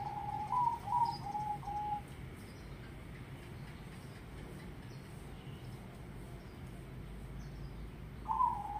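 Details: Zebra dove (perkutut) cooing actively: a quick run of short, bright, slightly rising coo notes in the first two seconds, then quiet hum, then another short coo burst near the end over a low steady background rumble.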